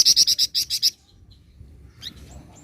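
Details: Flamboyan singing actively in the ngebren style: a fast run of about eight sharp, buzzy high notes in under a second, then quiet with a brief chirp later.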